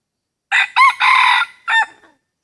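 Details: Close, loud rooster crow in a rubber plantation where hybrid junglefowl are lured with a decoy: four bursts, two quick rising notes, a long harsh held phrase, then a short final note, in otherwise silent surroundings.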